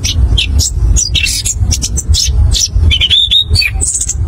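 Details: Orange-headed thrush, or anis kembang, in rolling ngerol ngeplong song used as a lure: quick scattered chirps, then a clear whistled phrase wavering upward near the end, with a low droning background.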